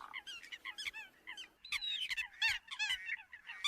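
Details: Eurasian coot calling, used to draw other birds: clustered harsh, nasal honks and rough bursts, irregular and growing louder after a brief pause midway.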